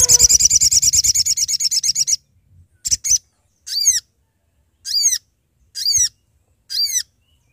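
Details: Sooty-headed bulbul, a male, calling to companions, recorded as a trapping lure: a fast, dense high chattering trill for two seconds, then separate short downward-sweeping whistled notes about once a second.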